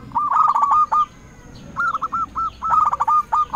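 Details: Zebra dove of local stock, singing strongly as a lure to call rivals and make other doves answer: three bursts of fast, stammering cooing notes separated by short pauses.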